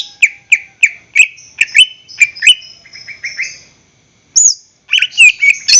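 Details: Greater green leafbird song meant to lure caged birds into singing: evenly spaced high chips and slurred whistles, a brief silence, then a burst of loud varied whistled phrases.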